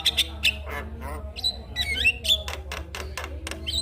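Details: Javan myna singing in the morning, used as a lure to spur other mynas to sing: harsh broadband clicks and squawks mixed with sharp whistled notes, in a rapid, irregular series over a low hum.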